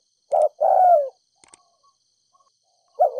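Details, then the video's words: Spotted dove cooing to stir up decoy doves: a short low coo, then a longer falling coo, then silence with a few faint clicks, and another coo starting at the end. "Cu gáy kích bổi nhanh nổi,THÚC GÙ Giọng đồng pha thổ"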